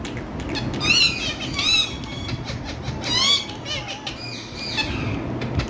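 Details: Green parrots utter scattered hoarse, harmonic screeches, two louder bursts standing out, with a continuous low hum and noise underneath.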